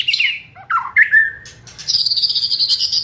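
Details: White-rumped shama song meant to stir up and quicken other birds' singing, with sharp descending whistles, a drawn-out lower whistle, then a fast trill of buzzy high notes pulsing about ten times a second.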